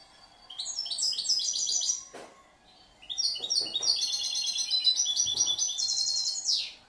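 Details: Caged European goldfinch hatched the previous year, singing a varied, mixed song: a phrase of rapid high twitters, a pause with a faint click, then a longer run of bright, buzzy trills ending in a falling slur.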